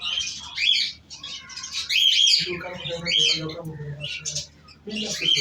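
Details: Beloved pet cockatiel chatters in loud, scratchy, high-pitched bursts, first overlapping, then quieter with a soft low murmur underneath, ending in one sharp chirp.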